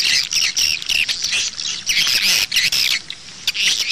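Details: Swiftlet calls used as playback to pull birds toward nest houses; loud high twittering phrases in bursts separated by brief gaps.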